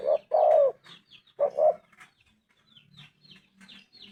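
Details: Spotted dove coo phrase, a short note and a longer falling coo, followed by a clipped second phrase, then fainter chirps from other birds and a low hum.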